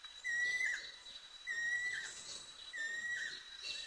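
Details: A Banded Kingfisher in Thailand gives long, clear, slightly rising whistles, one about every 1.3 seconds, with faint high twittering from other birds behind.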